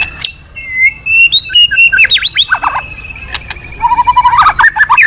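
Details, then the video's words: White-rumped shama in lively song, played to prompt other birds to sing: a long steady whistle under rapid zigzag notes, then a fast chattering series of short, clipped phrases near the end. "Pancingan Burung murai Crpat gacor"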